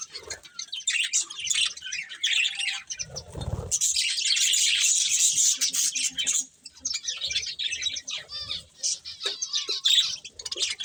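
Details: Colourful budgies eating together, chirping constantly in a rich, scratchy, high-pitched chorus that grows dense and loud for a few seconds, then breaks into scattered chirps, with a brief low rumble early on.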